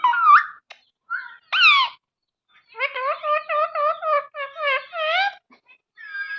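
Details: Pet parrot talking indoors: a run of varied, tonal, speech-like syllables with rising and wavering whistled inflections, short pauses between phrases, and the voice nearly continuous through the second half.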